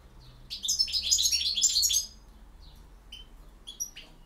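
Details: Campero-style song of a European goldfinch: a dense one-and-a-half-second burst of fast, bright twitters and trills, then a few scattered thin, high call notes against a quiet background.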